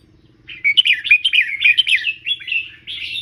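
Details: Red-whiskered bulbul tutor bird singing for song teaching, a continuous stream of cheerful warbled and chirped notes starting after half a second, with quick pitch jumps and a final sustained phrase; faint hum behind.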